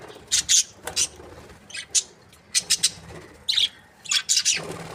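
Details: Chirping from budgerigars kept as breeding pairs: sharp, separate high squeaky notes, often in twos or threes, spaced by short silences over a few seconds.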